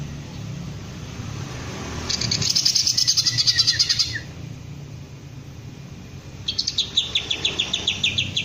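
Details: Green leafbird, being trained to raise its crest and sing in the ngentrok style, gives two bursts of fast, high, repeated chirping notes separated by a quieter pause, over low background rumble.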